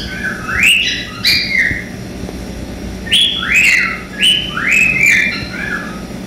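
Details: A male cockatiel sings a series of bright, rising whistles, each sliding up and then leveling off; song played for training other cockatiels to sing.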